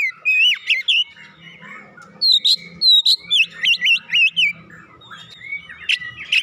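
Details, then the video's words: Kacer, or Oriental magpie-robin, singing as stimulation for a quiet bird: bright whistled notes bending up and down, then a fast string of repeated looping whistles around the middle, ending in scattered chirps. "merangsang Kacer malas bunyi langsung gacor"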